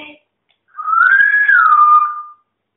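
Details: Female pet parrot calling to her friend indoors: one long clear whistle, rising gently then falling and levelling off, lasting about a second and a half.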